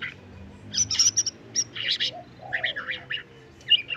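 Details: White-rumped shama song fragment: short bright bursts of high chattering notes separated by brief pauses, a soft lower whistle in the middle, and a final cluster of quick warbled notes, with low background hum.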